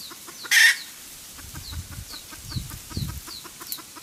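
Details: Red junglefowl hen cackle meant for luring on traps: a sharp harsh squawk opens, then soft quick clucks run on over low rumbling noise, with high falling whistles repeating.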